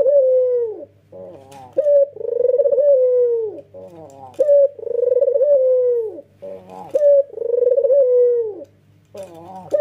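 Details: Adult male red-eyed white turtle dove gives long, drawn-out, mellow coos while nodding, each about a second long with a slight upward flick, repeating every couple of seconds in a small, quiet room.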